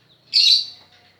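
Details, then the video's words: Lovebird learning to sing utters one sharp, shrill, slightly buzzy chirp lasting a quarter second, with a faint low hum behind. "Burung Love bird belajar ngekek"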